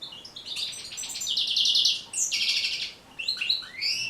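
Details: European goldfinch song played to train and stimulate caged goldfinches to sing: rapid liquid twittering with buzzy trills and tinkling high notes, bright chirps breaking into fast rattling phrases with short pauses.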